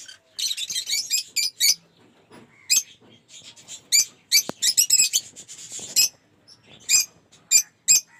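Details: Lovebirds in a home aviary collection of colour mutations (Cinemon Opaline, Off Pallid, Move Rosy, Blue Aqua Rosy) give bursts of shrill, high chattering calls, short harsh notes in clusters with brief pauses between.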